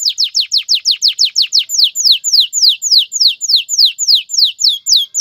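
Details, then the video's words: Song of a male canary stimulating a female toward mating and nest building: quick repeated downslurred whistles that gradually slow into longer, looping high notes, steady and loud throughout. "اقوى تغريد ذكر الكناري لتجهيز انثى الكناري للتزاوج و تحفّزها على بناء العش CANTO CANÁRIO"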